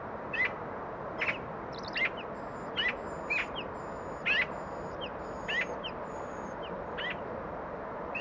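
A young bluethroat gives short, dry ticking notes mixed with brief mid-pitched chirps, roughly once a second, over thin, high drawn-out whistles.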